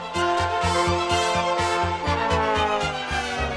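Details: Only music is heard: an orchestral piece with strings and brass over a steady, pulsing low rhythm.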